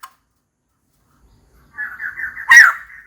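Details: Female white-crested laughingthrush calling for a mate: after a silent start, a harsh wavering chatter that swells into one loud, rough squawking note and trails off.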